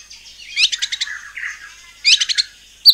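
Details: White-rumped shama in full song, used as a lure to provoke other shamas into answering: two bursts of rapid, sharp chattering notes separated by a quieter warbled passage, ending with a high thin note.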